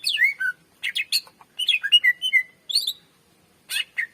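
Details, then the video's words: Greater green leafbird singing in a long performance used as a training recording for other birds: clustered rapid chirps and whistled slurs, some sweeping downward, delivered in short bursts with brief gaps. "SUARA BURUNG CUCAK IJO MASTER GACOR FULL SUARA PANJANG .COCOK PANCINGAN BURUNG BAHAN"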